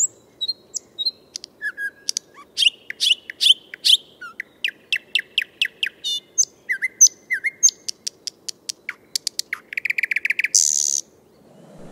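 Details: A thrush nightingale singing in Moscow gives a rich, varied phrase: a few clear whistles, then loud clicking rattles and fast repeated chock notes, ending in a dry buzzing trill.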